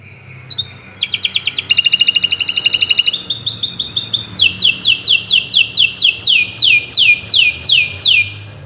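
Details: Long 'gacor' canary song for use in training birds: a short rising whistle, a dense rattling trill, a brief steady tone, then a slowing series of sharp downslurred sweeps, with faint background hiss.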